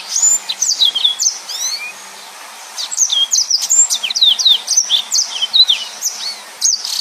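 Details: Yellow-fronted canary, a busy singer kept as a tutor for other songbirds, delivers dense high chirps, swooping whistles and quick trills in two bursts separated by a short pause.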